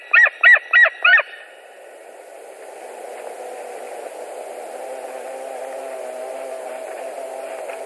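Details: White-tailed eagle at a nest in Latvia on an evening in late July 2019, during a nest visit: four quick, sharp yelping notes in a rapid burst, followed by several seconds of steady rushing background noise.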